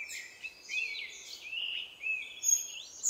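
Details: A scaly-breasted hummingbird in Costa Rica, recorded in January or October 2021, gives a thin, high twittering of squeaky notes that slide up and down in quick succession over a faint background hiss.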